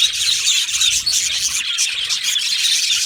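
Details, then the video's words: Chattering yellow male budgies in an aviary colony, a constant stream of squeaky, rapid high notes and short squeals blending into one bright buzz. "Beautiful Yellow Male Budgies Birds Chirping sounds"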